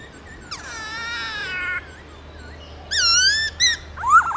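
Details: Black-throated laughingthrush giving forest-voice song: a long, rich, buzzy whistled note with many overtones, a pause, then a bright rising-falling whistle and a final sharp upward-swept note.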